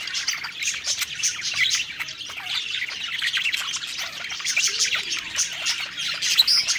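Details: Cheerful pet budgerigars singing as they eat, soft running warble of chirps and squeaks, rising into a short bright whistle toward the end.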